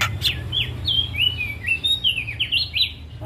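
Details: Javan myna song recorded for training cage birds: a flowing run of sliding whistles, rising and falling, sweet and continuous, with a low background hum.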